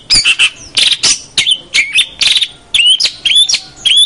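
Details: Long-tailed shrike singing a tutor track meant for young cendet in training: a jumbled mix of harsh rasping bursts and short whistled notes that slide downward, loud and irregular.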